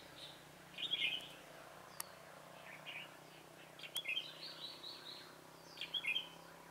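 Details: During bulbul trapping on 27 October 2017, a red-whiskered bulbul gives three quick, liquid phrases roughly every two and a half seconds, with a sharp click and faint background hiss.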